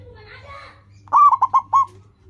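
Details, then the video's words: Local zebra dove (perkutut) in strong song, used as a lure to train caged birds to sing; a soft lead-in note, then a loud rhythmic series of four to five rolling, mellow cooing notes close together. "Perkutut lokal gacor, suara seperti ini bagus sekali untuk melatih burung perkutut cepat bunyi."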